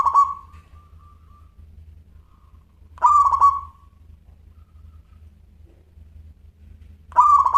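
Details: Singing local zebra dove (perkutut lokal) with a crystal-clear voice: three short cooing phrases roughly every three to four seconds, each quick pulsed notes ending in a lingering tone, a low hum underneath.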